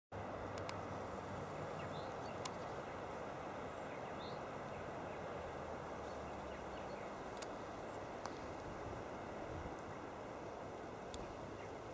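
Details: Steady low rumble of wind or distant traffic with a few faint clicks, and no clear animal calls.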